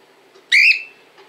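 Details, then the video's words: Cockatiel in Montpellier uttering one bright, harmonic whistle that rises and then trails off, with faint softer sounds before and after over a quiet hiss. "LA PERRUCHE CALOPSITTE 🐦 LE CRI DE LA PERRUCHE"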